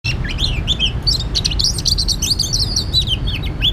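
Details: Oriental magpie-robin recorded during bird trapping: a dense run of varied sweet whistles, short rising and falling slurs and chirps, packed closely over a low steady rumble of background noise.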